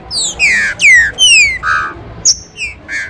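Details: Green-winged saltator song used as a warm-up and singing stimulus, recorded in the rain in a town square: loud clear whistled notes sliding downward, then shorter burry notes and a high thin note, in a brief phrase.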